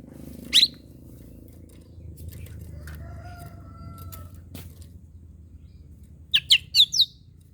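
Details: Oriental magpie-robin singing in the morning, used to provoke and fire up other magpie-robins: one sharp high note early, then a quick run of four loud, clipped high notes near the end, with a faint tonal crow-like sound and low background hum between.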